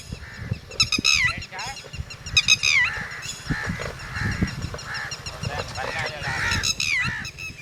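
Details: Red-wattled lapwing (tateri) near its chicks gives sharp, harsh, downward-slurred calls in scattered bursts. Softer mid-pitched notes sit between them, with background voices and low rumble throughout.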